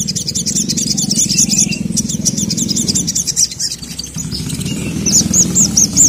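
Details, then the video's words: Sogon, a sogok ontong, agitated and calling a male: rapid high, thin chirps in quick bursts, with short upswept notes near the end, over a steady low rumbling hum. "SOGON MANAPUN NGAMUK GACOR LANGSUNG EMOSI dengar masteran burung sogon memanggil jantan ini"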